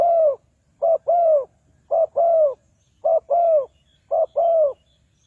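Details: Spotted dove used as a lure for trapping wild doves, repeating a two-part phrase of a short coo then a longer rounded coo about once a second, with a clean quiet background.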